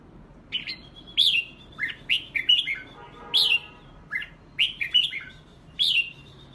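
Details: A red-whiskered bulbul sings during a singing contest: crisp, liquid whistled phrases, each a quick upward-then-downward swoop, repeated about every half second to a second. A short harsh buzz sounds midway, with a quiet hiss beneath.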